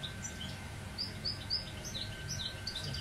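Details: Goldfinch mule singing: quick high chirps and short slurred whistles, several bright notes in a row near the middle, over steady low hum and background noise.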